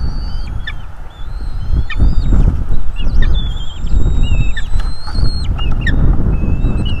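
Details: Bald eagles at their North East Florida nest, filmed by a fixed nest camera on 01.03.2022, late afternoon; a run of high piping whistles, some sliding, some flat, rises above steady loud wind noise.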